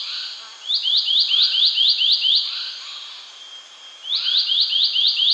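Indian paradise flycatcher giving quick runs of sharp, upward-flicking chirps, about four a second, in two bursts split by a short pause.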